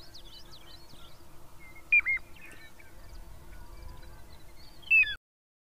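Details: Two clear, loud, melodic, plaintive whistles from a Piping Plover, a beach shorebird, about three seconds apart, each dropping in pitch, over faint high twittering from other birds and a low steady rumble.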